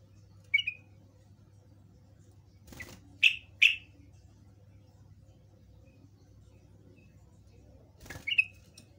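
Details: Yellow-vented bulbul, called trucukan, in a lure recording used to make other birds respond: scattered sharp high chirps, one solo, a close pair mid-way, another near the end, with soft rustles and a low hum.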